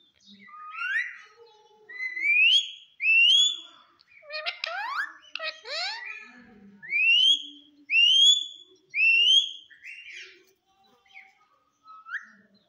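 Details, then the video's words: Green parrot producing a run of loud, clear whistled notes that slide upward, given in pairs early on, then a burst of fast, scratchy, chattering sweeps mid-way, followed by three more rising whistles and a few soft closing notes. "parrot talk everything cute talking funny"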